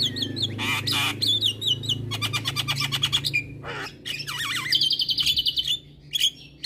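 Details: Javan myna masteran, a tutor recording for mynas reluctant to sing, mixing other myna types: harsh squawks and rapid chattering bursts, then a fast, buzzy, trilled high note near the end, over a low background hum.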